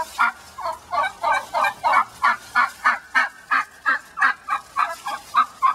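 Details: Mad laying hen in the big pen, unhappy at rejoining hens that attacked her, utters a fast, regular string of loud gobbling clucks, about three per second throughout.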